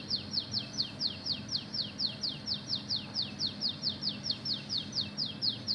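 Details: Oriental magpie-robin imitating a canary: an unbroken, regular string of bright downslurred notes, roughly two to three per second, repeated throughout and sounding like canary rolls, against a quiet low-pitched hum.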